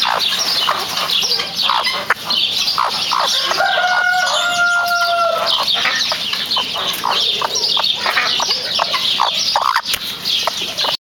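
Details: Chickens clucking in a busy flock, many short overlapping clucks and squawks continuously, with one longer drawn-out call near the middle, over a loud steady high-pitched hiss.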